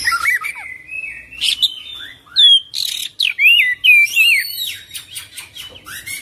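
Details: Oriental magpie-robin in full, varied song, rolling and loaded with mimicked phrases: swooping whistles, sharp upward slurs, buzzy trills and rapid chips in quick succession.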